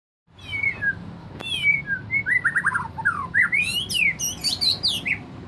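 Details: Agitated white-rumped shama singing a rich, varied song: slurred whistles falling and rising, then quick bursts of high, sharply sweeping notes that grow faster and more crowded toward the end.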